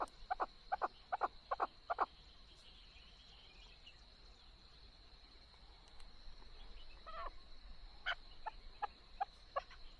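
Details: Chukar partridge calling, a quick burst of harsh clucking notes in the first two seconds, a quiet gap, then scattered single chuck notes returning toward the end over a steady high-pitched hum.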